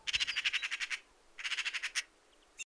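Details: In a UK garden, a Eurasian magpie gives its harsh, rattling chatter call: two bursts of about ten rapid dry notes each, the first a little longer, with a quiet pause between.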